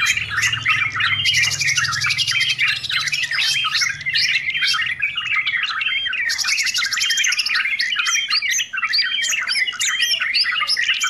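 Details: Sooty-headed bulbul in noisy song, a recording used for beginners and as a tutor for training birds: dense chirping and whistled phrases, with two long buzzy trills and a constant stream of sharp notes, plus a low hum at the start.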